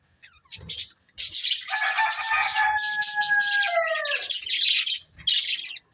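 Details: Pet budgies chatter in sharp scratchy chirps while a long, steady, falling drawn-out call sounds beneath for about three seconds; brief pauses frame the bursts of twittering.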